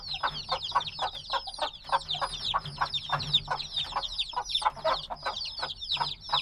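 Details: Days-old black chicks fill the space with chirping: quick, piercing, downward-sliding peeps from many birds, steady and crowded, with a faint low hum underneath.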